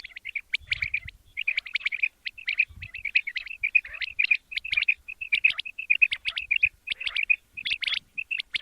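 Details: Quail, described as a male, calling in the morning for use in hunting: quick bursts of sharp, chirpy high notes, repeated irregularly in dense clusters with short gaps, over a quiet background with occasional low thumps.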